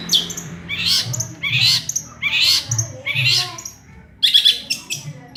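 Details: Harsh, buzzy, drawn-out squawks repeated about every second by a long-tailed shrike singing a small-bird imitation medley, followed by a short burst of scratchy high notes.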